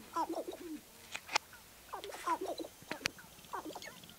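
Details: Sharp-tailed grouse near Baudette, Minnesota, giving low, wavering cooing notes in three short bursts about a second and a half apart, with sharp dry clicks between them.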